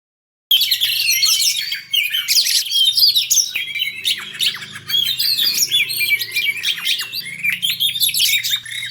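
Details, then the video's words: Oriental magpie-robin singing in a fast, tightly paced fighting contest: a dense, continuous stream of sharp whistles, chirps and rapid trills, with bursts of squeaky notes and quick upslurs that barely pause. A faint low hum runs underneath. "Kacer tarung speed rapat"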